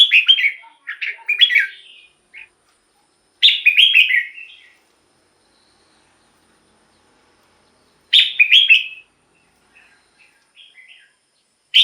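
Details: Red-whiskered bulbul song aimed at exciting other birds or attracting wild bulbuls: three separate bright, chirpy phrases of quick jumbled notes, spaced several seconds apart by quiet, with a few soft notes between.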